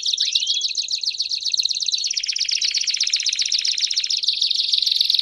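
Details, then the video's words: Belgian canaries singing together in a steady, rapid trill. One rising whistle opens it, then the trill shifts lower midway and climbs back higher near the end. "Vários Canários Cantando Junto Estimule seu Canário Belga a Cantar Muito!!!"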